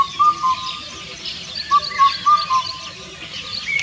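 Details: Indian cuckoo (Cuculus micropterus) singing: two four-note whistled phrases, the last note dropping lower, given about one and a half seconds apart, with fainter chirping of other birds high above.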